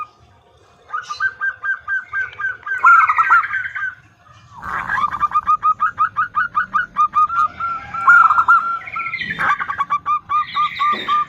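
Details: Female zebra dove calling to the male: long runs of short, hoarse, arched notes, about three per second, with brief pauses. Higher chirps from another bird break in near the start and end.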